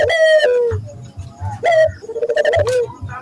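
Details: Barbary dove cooing loudly, a lure for training local doves: a long rolling coo, a short rising coo, then another drawn-out trilled coo, all clear over soft low thumping.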